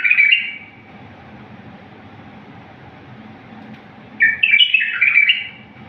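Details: Wild-style song of a bulbul, clean and error-free, for teaching bulbuls: a warbled phrase ends the opening moment, then nearly four seconds of quiet before another bubbly whistled phrase of about a second and a half.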